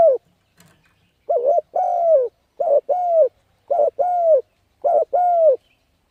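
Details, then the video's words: Spotted dove calling to lure and train decoy birds: four paired phrases, each a short wobbling coo and a longer falling coo, repeated about once a second and a half, faint click at the start. "Cu Gáy Thúc Gù Gáy Cực Phê Kích Mồi Tập Bổi Quá Hay"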